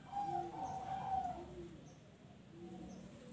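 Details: Zebra dove song, played to encourage other birds to sing; a softer, more distant coo with a lower companion note, repeated in short phrases over a heavy hiss of background noise.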